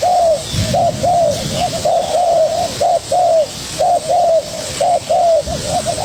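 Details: Young spotted dove responding energetically to a decoy: dense, almost continuous series of short hooting coos and longer slurred notes, overlapping calls with low thumps underneath.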